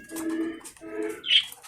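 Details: Domestic pigeons in their coops at feeding and water time, around 5:30 in the afternoon, jostling eagerly for food. They give two low, throaty coos, each about half a second long, followed by a brief higher-pitched note.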